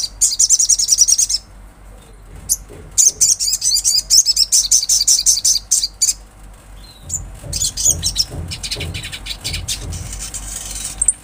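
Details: Olive-backed sunbird in full, energetic natural song: long, fast runs of thin, very high chips and buzzy trills, broken by brief pauses, with a steady low hum and some lower rustling in the background.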